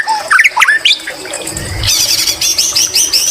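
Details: Song of a white-rumped shama with greater green leafbird imitations: quick rising chips and whistles, a soft low rumble, then a steady string of high looping phrases.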